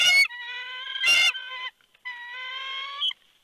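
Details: Bald eagle at its nest at Big Bear with a sizeable fish, 3 February 2020 at 4:17 PM; long, drawn-out harmonic whining calls, steady then slightly rising, broken by short harsh noisy bursts and a brief pause.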